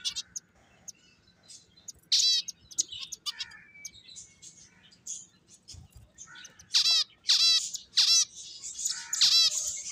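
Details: Finches playing call in scattered thin chirps, then loud, sharp descending chirp bursts come in quick succession toward the end, several birds overlapping.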